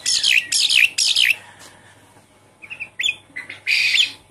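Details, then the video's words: Jalak suren, or Javan pied starling, lure song meant to make a non-singing bird call: three fast bursts of harsh, raspy chatter, a pause, then scattered short whistles and a final long grating burst. "Suara pancingan burung jalak suren macet bunyi"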